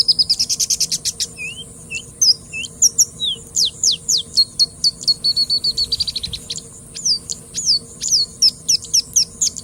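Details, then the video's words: A singing bush lark (Mirafra cantillans) pours out a fast, varied, high-pitched song of sharp chips, slurred whistles and rattling trills, with a faint steady hum behind. "Singing Bushlark ( Mirafra cantillans )"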